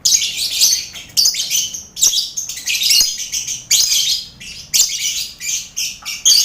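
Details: Crowded aviary of competition lovebirds sharing a cage with finches and quail. Continuous, harsh, high squeaky chatter in rolling bursts, with one loud burst arriving roughly every second.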